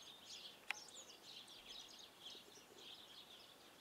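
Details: A European goldfinch (Carduelis carduelis) in Karlovško predmestje, Ljubljana, on 21 January 2024 twitters in a fast, liquid, tinkling stream of high notes with no pauses, with a sharp click near the start.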